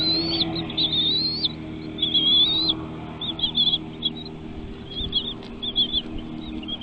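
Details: Young birds begging in a nest while parent birds feed them; high whistled calls, first long and wavering, then shorter clipped notes, over a faint steady hum.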